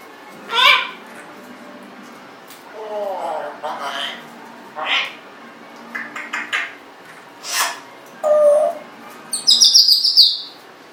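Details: Indoor Congo African grey parrot, 1.5 years old, known to burp and talk, giving a mix of short harsh squawks, a rough burbling phrase, clicks, a brief whistled note and a final burst of high rapid chattering.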